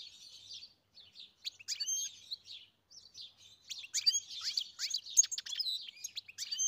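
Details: Goldfinch song from a farm setting: soft scratchy twitter at first, then a brief pause before a louder, quicker stream of bright chirps, downslurred whistles and buzzy trills.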